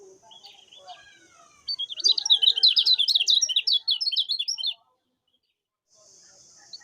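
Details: Common iora master song for training birds: soft twitters lead into a loud three-second run of dense, rapid chirps, then a sudden silence before hiss returns.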